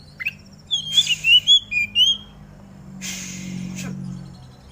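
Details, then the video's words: Oriental magpie-robin song from a morning dew session, played to make other magpie-robins sing: about six fast, rising and falling whistled notes in a short burst, then a loud rustling, hissing noise and a click. "Burung Kacer Mana Yang Gak Bakal Ikut Gacor Ketika Dengar Suara Kacer Di Embun ini !!!"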